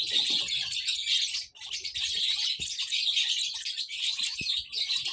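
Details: Baby lovebirds twitter constantly in high, rasping chirps. The chatter drops out briefly after one and a half seconds and then goes on.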